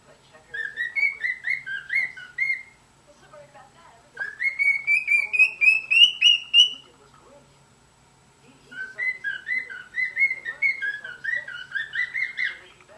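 A cockatiel sings clear whistled phrases, warbling up and down in three bursts separated by short pauses.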